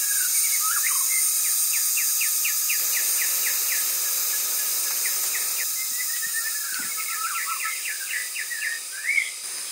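Chestnut-winged cuckoo giving fast series of short, sharp whistled notes, several per second, over a steady high insect hiss.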